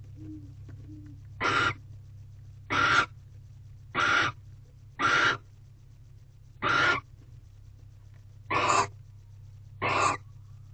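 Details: A Barn Owl at a nest box in a corral at night, 11:24 pm on 18 February 2023 during mating, female holding a rodent, gives eight harsh hissing screeches about half a second long, one to two seconds apart, over a low hum.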